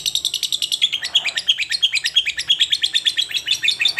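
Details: Lovebird encouraged from seldom calling toward steady singing (gacor): quick, continuous high chattering, scratchy notes pulsing about five or six per second, slightly uneven in rhythm, with a thin whistled tone running through parts.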